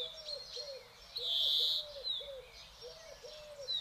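European greenfinch giving a drawn-out, buzzy wheeze and thin high twitters, over a steady series of soft, low, cooing notes from another bird.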